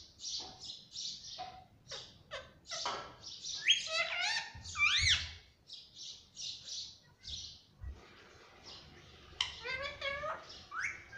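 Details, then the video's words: Pet rose-ringed parakeet kept indoors, said to talk: a string of sharp squawks and chirps, then several rising and falling sweeping notes with a speech-like quality, and brief low thumps in between. "बोलने वाला क्यूट सा तोता"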